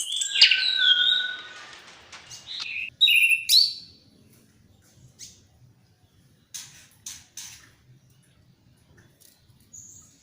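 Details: Orange-headed thrush singing in a lively, varied style, recorded for training other songbirds in the morning and evening. Rich whistled and slurred phrases fill the first four seconds, then sparse short high chips with quiet gaps follow.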